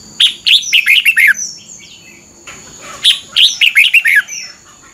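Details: Red-whiskered bulbul phrases played to teach caged birds: a burst of six quick, bubbling whistles, a brief rushing noise, then a second similar burst. Faint high slurred calls and a constant whine sound in the background.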